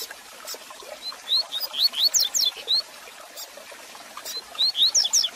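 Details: Double-collared seedeater singing a warm-up and learning song for a caged bird: clear high upslurred whistles run into fast sequences of sharp, piercing rising notes, with a pause and then a second rapid phrase.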